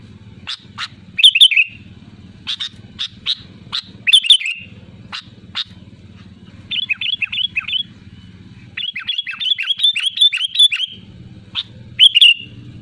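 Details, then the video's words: Sooty-headed bulbul calling to rivals, a loud lure call: busy series of sharp high chips and bright bubbly phrases, several quick descending notes in runs, over a low steady background hum. "SUARA ASLI BURUNG KUTILANG GACOR LANTANG MEMANGGIL LAWAN AMPUH UNTUK PANCINGAN AGAR BUNYI SEKETIKA"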